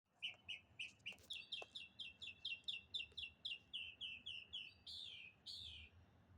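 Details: A single bird calling in the morning, giving a fast run of short, bright chirps about four per second, steady then shifting to longer, slurred upward notes near the end; quiet background with faint low rumble.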